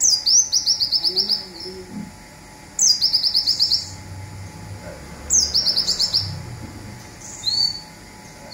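Olive-backed Sunbird giving a high, rapid zipper-like trill of about ten quick notes after a sharp opening, repeated every few seconds; faint low voices beneath.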